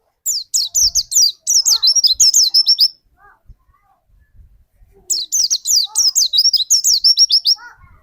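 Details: Lure white-eye singing to prompt another white-eye: two fast, three-second runs of high, shrill, downward-slurred notes separated by a quiet gap with faint low chirps and knocks.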